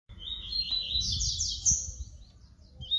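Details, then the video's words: Papa-capim seedeater from Bahia singing the flute-type song: a short phrase of high whistled and chirping notes rising and sliding, with low background rumble and thumps. "papa capim baiano canto FLAUTA"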